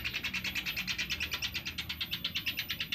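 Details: A Sunda pygmy woodpecker lure call: one continuous, even trill of quick, high, ticking notes lasting three seconds.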